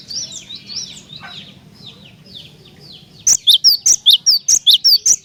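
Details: A lively cinereous tit, heard as a lure to make other tits sing, breaks into a loud, steady series of about ten high, ringing notes after a spell of softer chattering from other birds.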